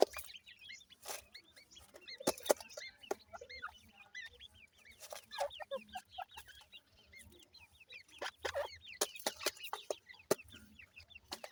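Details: ['Young ring-necked pheasants in a busy chorus of high, quick, curved peeps, many birds overlapping, punctuated by sharp tapping clicks throughout.']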